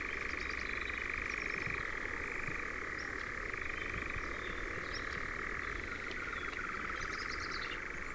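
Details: Churring of European nightjars in Ringwood Forest near Verwood, Dorset: a long, level, rapidly pulsed reeling trill running without pause, joined by scattered brief high clicks and chirps.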